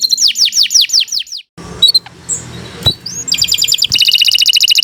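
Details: Canary song opening with a run of loud downward-swooping whistled notes, then a short pause with faint background rustle and a few scattered chips, ending in dense, fast, bright trills.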